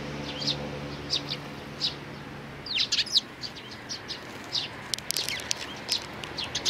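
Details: Sparrows, chicks with their parents, recorded 11 May 2019: scattered short high chirps, a few single notes early then a denser burst of quick chirps with wing flutters around the middle and end.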